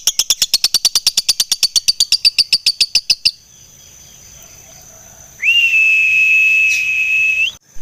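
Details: Gacor fighter lovebird gives a three-second burst of fast, sharp, high chattering notes, then silence, followed by a long, flat, steady whistle.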